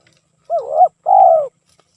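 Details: Spotted dove song recorded for use as a lure, heard as a single phrase: a short wavering coo that dips and rises, then a longer, steady, slightly falling purring note, in an otherwise quiet background.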